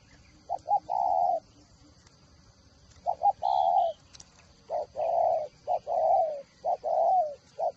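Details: Spotted dove kept as a decoy bird in Vietnam, giving a series of low cooing phrases: short stuttered notes leading into longer hoarse coos, repeated about every two seconds, with a faint steady high hum behind.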